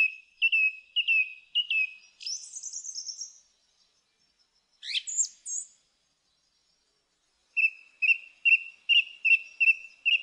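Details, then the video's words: Song thrush singing: a short high note repeated three times, a buzzy rising flourish, a sharp sweeping phrase, then a quick run of clipped repeated notes after a pause. "Thrush bird song"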